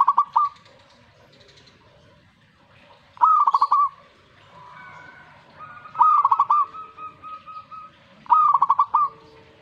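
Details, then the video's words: Zebra dove reacting to a master recording: four short phrases of rapid, stuttering cooing notes, each ending in a drawn-out final coo, spaced about every two to three seconds, with faint steady tones between. "Langsung reaksi buat masteran perkutut"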